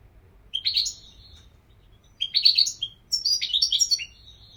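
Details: European goldfinch singing three twittering bursts, the last longest and most varied, with high tinkling and buzzy notes.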